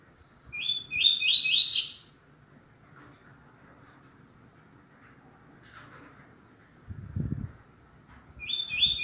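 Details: Double-collared seedeater singing tui tui zel zel in the deep canto grosso master style meant to teach males: a fast, buzzy high phrase of stacked rising notes, a long near-silent gap, then the next phrase beginning.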